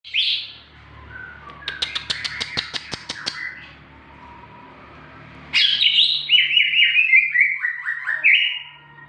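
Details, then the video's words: Greater green leafbird in full song, kept as a lure to get young captive birds singing: a sweeping whistle, then a rapid burst of sharp clicking notes, then loud, rich, warbled phrases stepping downward. "cucak ijo gacor cocok untuk pancingan burung bakalan"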